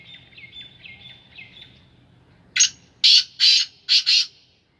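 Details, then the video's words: Faint thin whistles from other birds lead into a kept black francolin, Sindhi Gangas strain, delivering five harsh, buzzy bursts over about two seconds, the final pair clipped short and paired. "Kala teetar ki awaz / black francolin voice کالا تیتر کی آواز"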